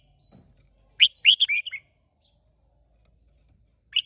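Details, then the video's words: A Red-whiskered bulbul from Hoa Binh, Vietnam, sings in a contest on 30 May 2023: a quick run of four or five loud warbled notes, then silence and one final chirp, with a steady high whine behind. "Chào Mào Hót Đấu Rất Đẹp Rất Hay"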